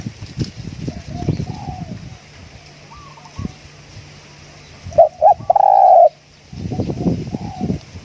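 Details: Spotted dove decoy coo: after rustling noise, two short notes lead into a long stuttered hollow coo, then more handling noise.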